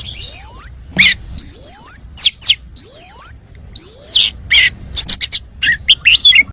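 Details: Loud, open-voiced oriental magpie-robin song, played to prompt other birds to sing. Long, clear high whistles alternate with sharp upward-sweeping notes and quick chattering bursts, repeated in a roughly one-second rhythm.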